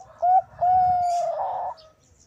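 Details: Bangkok zebra dove, female calling male, played as a lure: a short coo, then a long steady drawn-out coo that ends in a rougher, burred warble.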